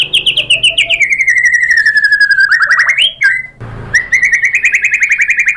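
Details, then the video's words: White-rumped shama lure song. A long rapid buzzy trill slowly falls in pitch, breaks into a brief rising whistle, then restarts as another fast trill. "PANCINGAN MURAI BATU BIKIN EMOSI JADI NYAUT GACOR BONGKAR MATERI ¦ SHAMA BIRD"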